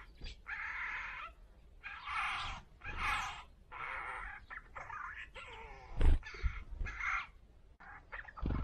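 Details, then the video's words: Eurasian jay at a winter bird feeder in Moscow Oblast in mid-February, mimicking sounds, gurgling and muttering, gives harsh rasping bursts and muttering notes, roughly one per second, with clucks and a loud click near the end. "Голос сойки: птица поёт, бормочет и издает разные звуки"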